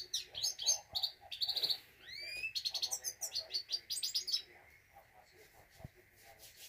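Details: A Himalayan goldfinch sings a rapid, tinkling twitter of bright chirps, buzzy trills and quick up-slurred notes for about four seconds, then trails off over a faint steady hum.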